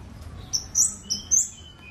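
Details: Scarlet-backed flowerpecker singing: a few sharp, very high, thin notes, then short whistled slurs and a quieter lower note, over a faint low background hum.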